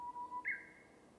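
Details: Japanese bush warbler song in a bamboo forest: a clear, low, sustained whistle broken into two parts, followed by a brighter, higher note that trails off.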